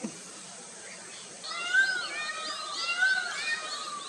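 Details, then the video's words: Black-throated munia chicks being fed at Vamanjooru near Mangalore, India, December 2022, give a busy chorus of thin, wavering squeaky calls that start abruptly in overlapping bursts, over faint background hiss. "Feeding Chicks - Munias"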